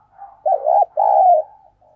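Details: Spotted dove used as a decoy, cooing thúc and gáy to call wild doves. Two strong coos: a bumpy, wavering note, then a longer even note that slowly falls, with a faint coo at the start and end.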